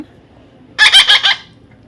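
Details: Baby parrot letting out a single short, pulsed rasping squawk of four rapid beats after a moment of quiet.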